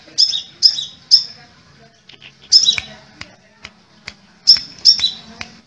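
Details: Crimson sunbird, known in Indonesia as kolibri merah or sepah raja, giving sparse high piercing notes in pairs and triplets, separated by gaps with faint ticking sounds.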